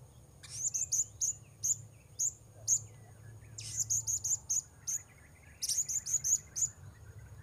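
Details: Blue-crowned hanging parrot, with wild birds being lured: rapid strings of piercing high chips, grouped in runs of four to six, repeated steadily for several seconds against faint background rumble.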